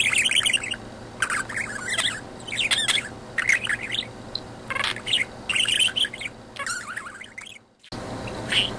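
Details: Pet budgie chattering to his owner indoors, telling her what is what: near-continuous warbled twittering with squeaky chirps and clicks, a short pause near the end, then a lone chirp, with faint room hum beneath.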